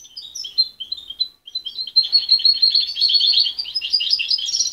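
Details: A young goldfinch hybrid, mother-raised and separated at 23 days, whose song is still unsettled. It opens with spaced high whistled notes, then breaks into a rapid, dense, buzzy twittering that rises slightly toward the end.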